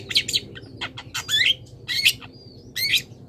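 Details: Long-tailed shrike singing a mimicry-filled master song for cage birds: quick chattering notes, short whistled slides and rasping bursts, with a brief thin whistle between phrases.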